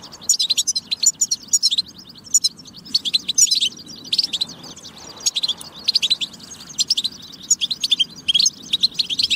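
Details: European goldfinch giving a tabtaba song to stimulate goldfinch singing and readiness: bursts of quick, sparkling twitters and trills repeating every second or two, with brief silences between phrases and a faint low hum.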